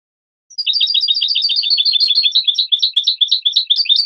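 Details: European goldfinch song on a tutor recording for teaching young birds: a fast, continuous twittering run of high, tinkling chirps, tightly packed and unbroken after a brief silent start, with no other sounds.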